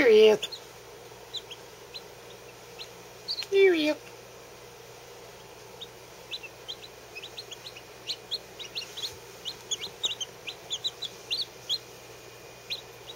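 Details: Newly hatched Lavender Orpington chicks, under a day old, resting under heat; thin high peeps gather into a busy chorus in the second half, after two louder, lower, falling sounds near the start.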